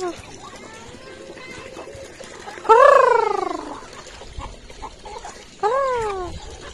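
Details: Turkey giving two loud, harmonic, pulsed calls that fall in pitch, the first near three seconds and a shorter one near six seconds, over a quiet background with faint bird calls.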